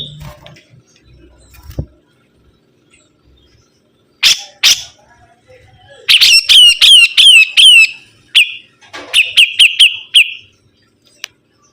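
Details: Long quiet stretch with faint low noise and two loud clicks, then a sibuntung bird bursts into rapid, bright chattering phrases of high slurred notes, pausing briefly before a shorter second run.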